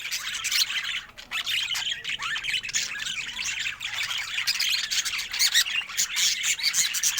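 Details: Contented pet budgerigar chatters without pause, a busy scratchy stream of squeaks, chirps and buzzy notes.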